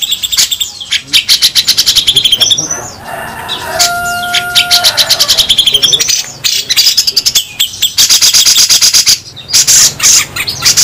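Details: Crested bulbul, local versus Sumatran, giving harsh 'besetan kasar' song: long runs of rapid, evenly pulsed high rattles broken by scratchy chatter, with a steady flat tone heard briefly in the middle.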